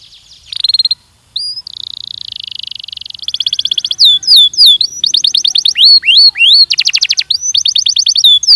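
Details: Belgian canary training song beginning with short high notes and a sustained buzzy tone, then fast trills, looping up-and-down slurs and rapid rattling bursts in alternating phrases.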